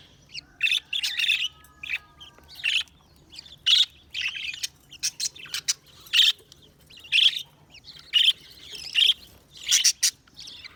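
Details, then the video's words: Budgie chirps coming in short, sharp, squeaky bursts roughly once a second, with some bursts doubled into quick chattering pairs and faint softer twitters in the gaps. "Budgies Sounds| Budgies Chirping sound"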